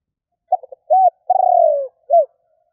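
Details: Spotted dove lure call from Vietnam, meant to provoke rival doves: two quick stuttered notes, a rounded coo, a long slightly pulsing falling coo, then a short closing coo, clean and loud.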